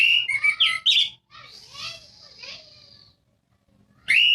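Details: Orange-headed thrush song meant to prompt silent birds to sing: a run of loud whistled and chirping notes, a quieter mushy warble, a short pause, then another strong whistled note.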